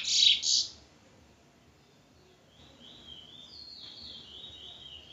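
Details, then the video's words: Two loud, harsh high chirps open, then after a short gap a Trinidad bullfinch gives a quieter, wavering series of high whistled notes. "Bullfinch Trinidad"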